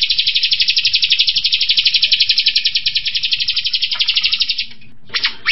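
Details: Striated grassbird 'tembakan' song, delivered at speed and tightly packed: a steady rattling trill of high notes lasting about five seconds, then fading and ending with a short separate burst.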